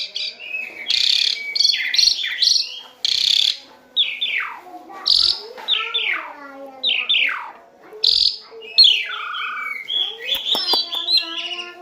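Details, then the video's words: Asian pied starling in lively song meant for tutoring captive birds: a rich medley of loud whistles, sliding and descending notes and buzzy chatter that runs almost continuously, ending in a few sharp clicks. "SUARA BURUNG JALAK SUREN GACOR FULL ISIAN"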